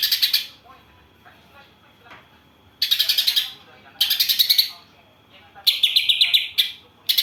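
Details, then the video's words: Greater green leafbird with a song filled with imitated house sparrow and kapas tembak phrases, delivering harsh, rattling chatter bursts in four separate spurts, one ending in clearer pulsed chips. "Cucak ijo isian Gereja vs Kapas Tembak"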